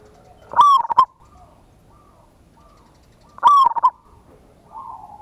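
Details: Zebra dove lure call meant to provoke a quick reply from other doves: two strong, rapidly pulsed coo bursts, with softer low coos from a second bird heard in the gaps.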